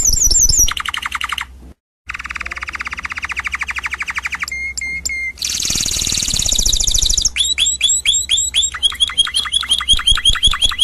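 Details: Canary on a 2016 singing disc: fast trills of rising notes, a short gap, a long steady rattle, sharp whistles, a hissy buzz, and bright downslurred syllables repeated rapidly.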